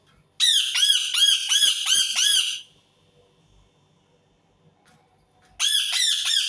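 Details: Indian ringneck parakeet giving a fast string of shrill, grating squawks, about six in two seconds, then silence and another loud screeching burst.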